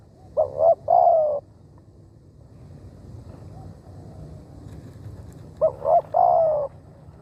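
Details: Spotted dove used as a decoy to lure wild doves, giving two groups of low, mellow coos: two short notes followed by a longer drawn-out coo, repeated after a pause of about four seconds over a quiet rural background.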